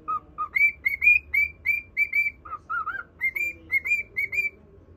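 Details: Domestic cockatiel singing to a budgerigar, two low whistles opening a fast run of bright high notes, a dip to lower wavering notes, then more high whistles, low room hum throughout.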